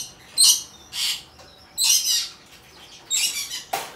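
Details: Albino cockatiel chick, hand-tame, recorded in Fukuoka, Japan, on 28 August 2023: four breathy, rasping squawk bursts spaced about a second apart, each a short noisy hiss, with quiet room background between.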